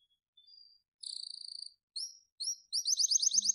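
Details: Captive-bred pied white-rumped shama, blorok type, in a master recording: a soft whistle, a buzzy sustained trill, two rising slurred notes, then a fast chattering run of repeated high notes.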